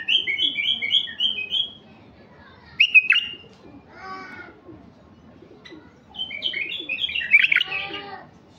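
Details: A mutation male White-eared bulbul used to get wild bulbuls singing gives a quick series of repeated chirpy whistled notes, a sharp swooping phrase, then a fuller warbling burst, with a brief lower rasping sound between.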